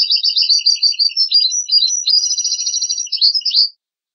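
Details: Lively European goldfinch song for teaching chicks and hybrids: a dense, unbroken stream of high, tinkling chirps, fluid twitters and brief nasal buzzes pours out for nearly four seconds, ending abruptly in silence.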